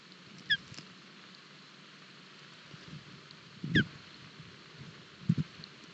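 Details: Ospreys at a Barlinek Forest nest at breakfast, 07 July 2022, chicks struggling with a large fish: two brief, high, downward-slurred whistles several seconds apart, with soft low thuds and rustling in between.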